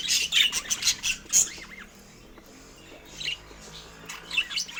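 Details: Pet budgerigar chirping while eating fruit: rapid scratchy high chirps and squawks in quick bursts, a short quieter spell, then more chirps, with faint low background sound.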